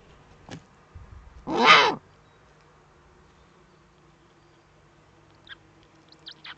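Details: Eurasian eagle-owl at a nest in the Eifel, Germany, at 05:36 on 8 April 2014, the morning the first chick hatched. One loud, hoarse rasping burst, then faint scattered high chirps.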